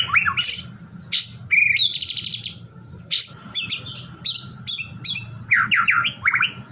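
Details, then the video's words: White-rumped shama singing a varied, loud song of rising slurred whistles, rapid buzzy trills and clipped chattering notes in quick bursts, with a steady low hum and a faint constant tone underneath. "LANGSUNG TRPANCING GACOR, HITUNGAN DETIK MURAI LAIN AUTO IKUT BUNYI"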